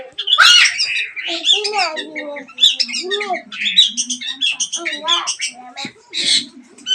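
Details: Song of a long-tailed shrike used as a lure to make a mute shrike start singing: dense, scratchy chatter mixed with sharp chirps and slurred whistled notes, continuous and busy throughout.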